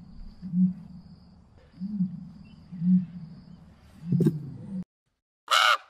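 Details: Common ostrich (Struthio camelus) booming: three or four deep, muffled low hums about a second apart, a faint steady high tone behind, and a brief louder, higher call breaking in at the end.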